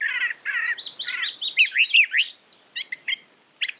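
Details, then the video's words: A brown thrasher sings a rapid run of warbled, rising and falling notes, followed by a few sharp, clipped chirps after a short pause. "Brown Thrasher Bird Sound, Bird Song, Bird Call"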